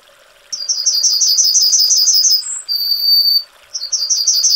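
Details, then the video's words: Yellowhammer (Emberiza citrinella) singing: a fast run of bright, high chipping notes repeated about three per second, ending in a drawn-out level note, then a thin higher whistle before the chipping run starts again. "Yellowhammer Singing (Emberiza citrinella)"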